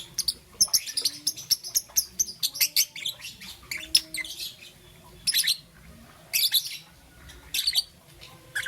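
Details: Young green and yellow peach-faced lovebird chirping in the morning: rapid high chirps in dense bursts, then spaced clusters of harsh squeaky notes separated by short pauses.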